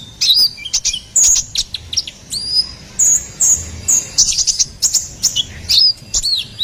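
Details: Lively ruby-cheeked sunbird (konin kolibri ninja) song, used as a lure and tutor for songbirds: clusters of piercing high chirps and quick sweeping notes, separated by short gaps of under a second.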